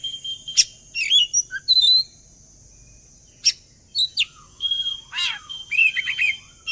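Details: Oriental magpie-robin (kacer) lure song to make birds join in singing: varied whistles, twittering runs and rough swept notes in uneven bursts, a quiet pause near the middle, low hum underneath.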